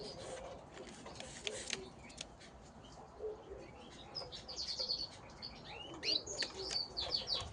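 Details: Gloster canaries fighting. Scattered thin chirps open quietly, then a rapid run of high, twittering notes and short squeaks builds in the second half over a faint noisy background.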